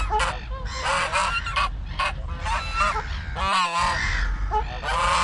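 A domestic gander cackles in quick, harsh, nasal honks, about eight bursts in five seconds, over a steady low rumble.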